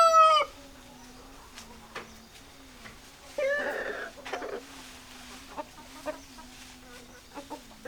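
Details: Chickens: the tail of a rooster's crow opens, followed by a harsh squawking burst and scattered hen clucks over a steady low hum.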